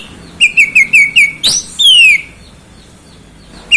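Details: Oriental magpie-robin giving five quick clear whistled notes, then a sharp rising whistle and a long falling slurred whistle, followed by a pause and one more note.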